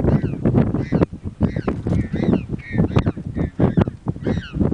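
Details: At Punta Tombo in Argentina, penguin chicks scream to be fed by their mother: dense chorus of raucous braying calls in quick pulses, several voices overlapping over a loud low background.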